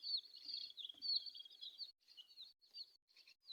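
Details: Colourful chicks give faint, shrill peeping, first as a continuous run, then in short separate bursts, over a light background hiss.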